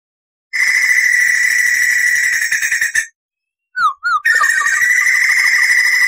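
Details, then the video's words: Crested laughingthrush in lively rolling form, recorded as a tutor for other songbirds: a long even trill, a pause with two quick sliding whistles, then the trill resumes. "SUARA MASTERAN POKSAY JAMBUL GACOR NGEROL"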